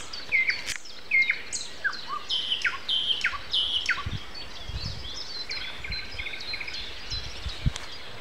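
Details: Morning song of a common nightingale at 7:55 a.m. on Sunday, April 29. Loud, varied phrases of sharp whistles and downslurred notes, with a buzzy run of stacked repeated notes near the end and scattered low thumps.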